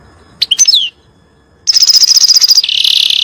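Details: Goldfinch singing as a tutor for young birds: a few sharp twittered notes, a pause, then a rapid pulsing trill running into a dense buzzy note at the end.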